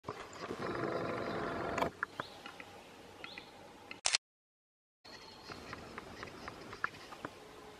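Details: A western capercaillie in Belarus gives sharp, dry clicks at an irregular, quickening pace, after a rustling, noisy opening and a brief cut in the sound.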